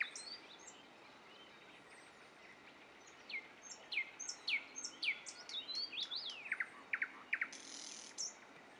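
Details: Nightingales at Dubki: a few seconds of near quiet, then a varied stretch of sharp downslurred whistles, rising sweeps and short chirps, some overlapping, with a brief noisy burst near the end.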